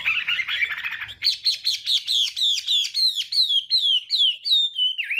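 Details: Morning song of a Chinese hwamei trained to sing: a scratchy warbled opening, then a steady series of clear, downslurred whistles repeated about three times a second, ending on a lower swooping note.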